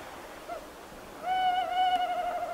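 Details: Tawny owls: a short, faint note, then a sustained, quavering hoot that wobbles in pitch and carries on to the end.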